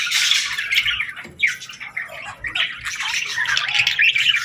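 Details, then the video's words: Several baby budgies chirp and squawk while calling for food, a rasping, buzzy chatter that dips briefly near the middle before swelling again into overlapping high chirps. "Baby Budgies Chirping Sounds | Adorable & Relaxing Budgie Calls"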